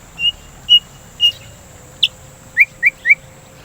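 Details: White-rumped shama song used as a lure to prompt singing and as therapy against breeding excitement: short pure high whistles repeated about twice a second, then three quick upslurred chirps, over a faint steady hum.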